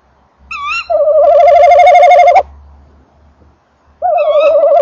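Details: Tawny owls at a nest box at 19:48 on 28 December 2013: long quavering mid-pitched hoots of about one and a half seconds, a brief higher rising note before the first, as the male enters the box while the female calls farther off.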